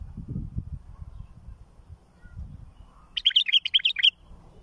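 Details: Bulbul song used for teaching fledglings: one quick, bright warbled phrase of about five rising and falling notes lasting under a second, heard after a few seconds of low rumbling background.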